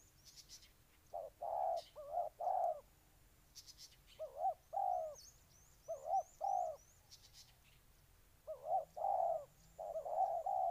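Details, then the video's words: Spotted dove, Ninh Thuận, Vietnam, cooing in spaced pairs and triplets separated by short gaps. Small birds give repeated high, thin chirps and brief bursts in the background. "Cu gáy Ninh Thuận"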